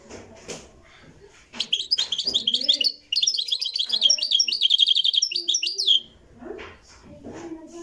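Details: Moroccan goldfinch singing in a live recording: a fast, dense run of bright twittering and trilled notes lasting about four and a half seconds. Quieter, lower murmuring sounds come before and after it.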